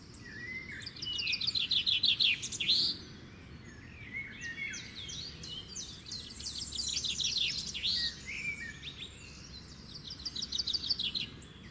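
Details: Wild birds singing outdoors: bursts of high, rapid chirping and twittering notes, some sweeping up and down, coming in bouts every few seconds over a steady low rushing background noise.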